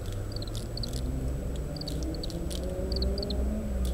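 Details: Oriental greenfinch calling while picking seeds from summer camellia fruits and shelling them, recorded with a parabolic microphone amid strong wind: several groups of two or three high chirps, with a droning low hum and wind underneath.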